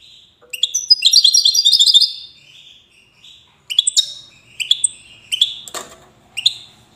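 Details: European goldfinch described as 'widani', from the city of Safi in Morocco, singing bright twittering phrases: a dense run of high tinkling notes, then short separate chirpy bursts roughly every second, with one brief rustling noise near the end.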